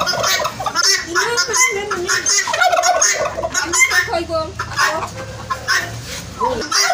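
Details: Several turkeys calling together: a steady mass of rapid, bubbling gobbles and squawks, loud and overlapping, with a low hum underneath.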